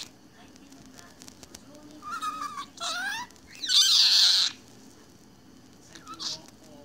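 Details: Budgerigar at home, immersed in its own world, gives wavering warbled chirps that build into a loud, harsh, raspy burst, then a final short squeak, with a faint hum throughout.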